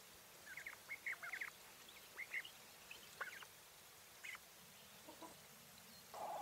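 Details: English White Coturnix quail hen uttering short, sharp chirps in quick clusters, then sparser single chips and a brief low note at the end, with faint background hiss.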